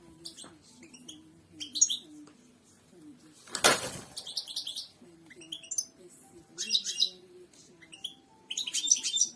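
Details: Royal goldfinch song used to train cage birds: scattered high twittering phrases and sharp chirps, interrupted midway by a loud broadband rustle or thump, with short gaps between phrases.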